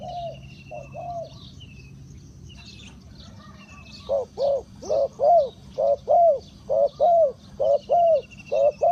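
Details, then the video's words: Spotted dove acting as a lure for wild birds; after quieter coos and distant bird twitters, a loud series of hollow, rounded coos rings out steadily, roughly one per second, over a faint rural background. "The Chim cu gáy chiêu kích mồi tập bổi nhanh nổi hiệu quả"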